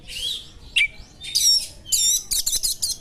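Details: Oriental magpie-robin voicing sharp small-bird imitations to stir a rival: a wavering whistle, a sharp chip, ringing buzzy trills, then a staccato series of five high pulses.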